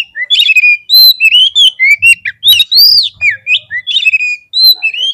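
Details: Oriental magpie-robin, known locally as kacer, singing a lure meant to anger birds into fighting: continuous rich, varied whistles, arching slurs and sharp chips in rapid succession, with faint low thuds.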